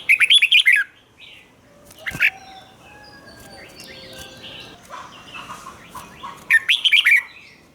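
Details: Red-whiskered bulbul in doubled 'rik' song style, played so young birds can copy it: a rolling phrase of six quick warbled notes, a single sharp note midway, then the phrase again, with faint whistles and other bird calls behind.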